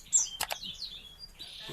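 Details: Yuhina, a bird endemic to Kalimantan, recorded as master song for training other birds; high, thin chirps and quick descending whistled slurs, some notes overlapping, over a soft background hiss.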